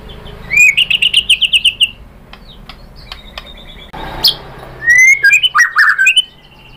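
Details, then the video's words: White-rumped shama lure song to provoke answering birds. A rapid series of about ten high, evenly spaced whistled notes, a quiet gap with a scratchy burst, then another fast run of richer downslurred whistles. "OCEHAN MURAI BATU bikin NYAUT jadi EMOSI NYAUT GACOR BONGKAR MATERI ¦ PANCINGAN MURAI ¦ SHAMA BIRD"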